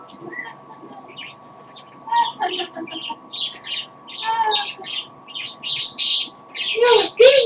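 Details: A pet parrot, described as getting tired, sings a little: a string of short chirps, squeaks and voice-like warbled notes in uneven bursts, ending in louder, harsh, noisy squawks.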